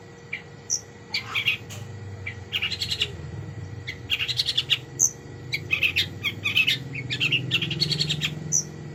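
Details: Long-tailed shrike, a kept songbird, pouring out a rich mimicking song of quick chattering notes, clicks and thin high whistles in irregular bursts, with a steady electrical hum underneath.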